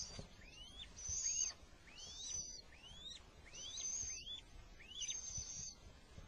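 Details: Little owl at the moment the male succeeds in delivering food during an attack; sharp rising whistled notes repeated roughly every 0.7 seconds alongside loud, high hissing screeches.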